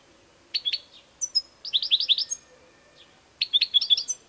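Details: European goldfinch melody of rapid, liquid twittering notes in tight clusters, with a thin high whistle between, in three lively bursts.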